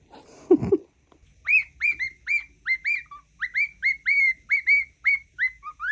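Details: Pet cockatiel whistling what its owner believes is the Mickey Mouse song: a brief rustle and voice at the start, then a steady series of clear rising whistled notes, each with a downward hook, repeated about three times a second.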